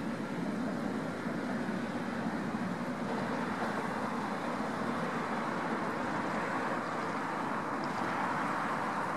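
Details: Continuous vehicle and road noise, a broad even hum with no animal calls.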